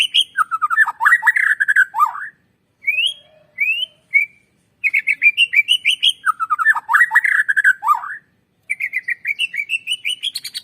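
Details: Lure song of a white-rumped shama for stimulating birds to sing: repeated bouts of fast, varied whistling and chattering, broken by a few isolated rising whistles, with a rising whistled series at the close.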